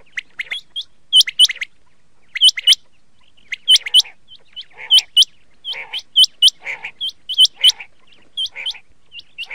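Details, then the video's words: Chinga calling with sharp, high, hooked chirps, often in quick pairs or triplets, mixed with harsher buzzy notes at an uneven pace, used as a lure call for hunting. "Chinga ki awaz shikar k liye"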